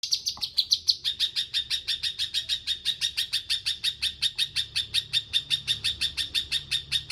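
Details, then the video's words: Bulbul in full song, two brief higher notes and then a long, even series of sharp, clipped notes, about three per second, held at one steady pitch throughout. "Cucak kinoi gacor"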